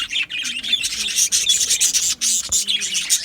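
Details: Aviary colony of Australian budgies on 12 July 2025, producing a constant bright chatter of overlapping chirps, squeaks and rasping warbles with brief pauses.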